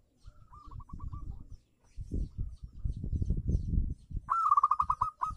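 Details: Local zebra dove, played as a lure to prompt silent doves to sing, giving a soft trilled coo phrase, then a loud rapid staccato burst of bubbling notes near the end, over low thumping background noise.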